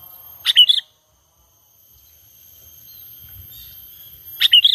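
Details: Sooty-headed bulbul giving a natural call used to lure birds for trapping: a short bubbly phrase of sharp note plus a twisting chirp, repeated after about four seconds, over a faint steady background hiss.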